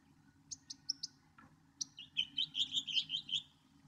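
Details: Northern mockingbird singing: high clicking notes in a short series, a lower slur, then a quick bubbling string of warbled, repeated notes.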